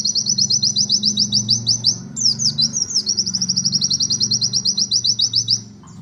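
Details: White-eye (pleci) singing in the fast 'nembak' style: long runs of rapid, high, thin notes in dense trills, broken near the middle by a brief varied twittering phrase before the trilling resumes; low steady hum underneath.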